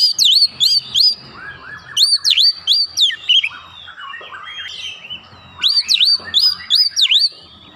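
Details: Agitated Oriental magpie-robin answering a lure recording and unleashing its repertoire: loud bursts of rapid, sharply rising and falling whistled notes, several per second, separated by a quieter stretch of softer twittering, with the bursts returning near the end.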